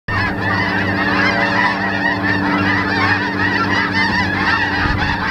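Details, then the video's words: Large flock of snow geese on Terranova marsh, Richmond, British Columbia, Canada, 14 March 2019: a dense, unbroken chorus of overlapping nasal honks and yelps, over a steady low hum throughout. "Snowgeese on Terranova marsh"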